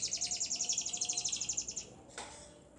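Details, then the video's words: An F1 Lizard canary (Lizard x local canary), warming up in the morning, sings a fast, high trill of about twenty bright notes over nearly two seconds, followed by a single sharp knock. "F1 Lizard (Lizard x Local Canary) singing"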